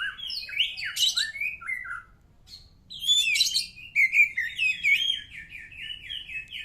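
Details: White-rumped shama song opening with swooping whistled phrases, a short pause, then a long run of rapid repeated downslurred notes; bright and high-pitched, used to prompt other birds to sing back.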